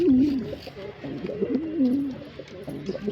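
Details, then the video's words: A male pigeon's coo opens loudly, then continues as a gentle, looping series of low warbled notes that fade toward the end of the three-second stretch. "Pigeon Sound Effect"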